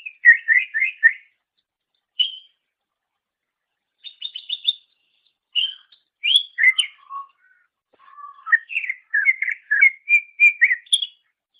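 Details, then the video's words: Greater green leafbird singing for a songbird-training master: a quick burst of repeated chirps, scattered short trills and whistles with gaps, a couple of low notes, then a dense run of rising chirped phrases. "Masteran Suara Cucak Ijo"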